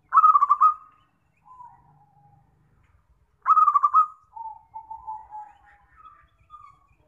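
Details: Zebra dove call used as a lure for trapping: two loud, rapidly pulsed cooing bursts, each followed by softer, lower drawn-out coos and short trailing notes, with clean silence between phrases.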